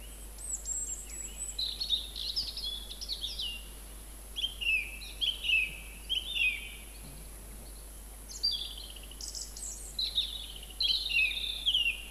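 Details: Song thrush in song at Montbéliard, filmed 26 February and 4 March 2024: bursts of bright whistled and chattering phrases, several notes repeated in short groups, separated by brief gaps, over a steady background hiss.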